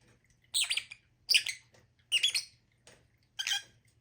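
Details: Lovebird calls: four loud, grating high squawks spaced roughly every three quarters of a second, each a rough burst with a faint low hum beneath.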